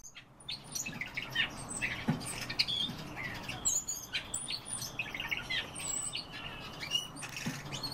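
Common starling song: a busy, jumbled run of high whistles, clicks, chirps and creaky notes without pause, with a low outdoor rumble underneath.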